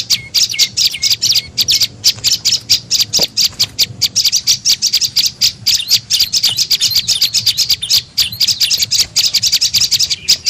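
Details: Prenjak lumut tailorbird calling as a lure to attract other birds: dense, rapid high chirping and trilling that runs on almost continuously, with a single short low thud near the start.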